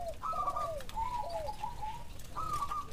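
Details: Spotted dove (derkuku) responding to a lure call: quiet, distant-sounding low coos, some dropping in pitch, overlapping a fainter higher whistled tone, with low background rumble.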